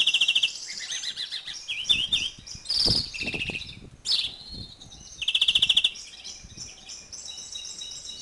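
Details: Male greenfinch in breeding condition from the 2011 season, mixing fast metallic trills, looping twitters and wheezy buzzes, with some faint low background knocks.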